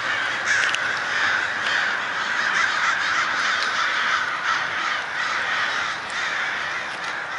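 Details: A massive swarm of crows swarming and diving at daybreak. Dense, harsh cawing from many birds overlaps into a continuous, noisy chorus, with a few louder caws rising above it.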